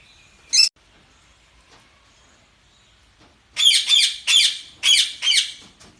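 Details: Budgerigar calls: one sharp chirp, then after a quiet pause a rapid series of five rough, grating squawks.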